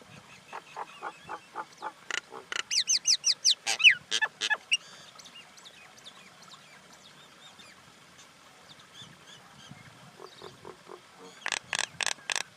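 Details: Common myna mixing repeated harsh grating notes with a run of fast, high, rising whistles. A quieter stretch of soft notes follows, and a final burst of loud rasping calls ends the series.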